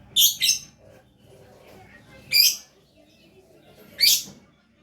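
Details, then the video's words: Lovebird in energetic gacor song: a doubled shrill chirp followed by two single harsh, high squeaks about two seconds apart, quiet hum in between. "Love Bird Gacor"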